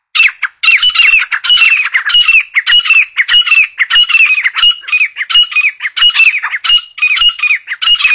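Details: Grey francolin, also called grey partridge or grey teetar: loud, harsh, squawking calls repeated in rapid, rhythmic phrases with bright, ringing upper notes, continuous throughout with no other clear sounds.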